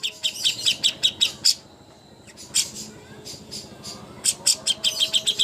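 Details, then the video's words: Greater green leafbird (cucak hijau) master song for birds preparing for contests. Quick bursts of high squeaky chirps are broken by a quiet pause of about a second, then resume in a fast chattering series. "masteran ampuh untuk burung cucak hijau Lomba"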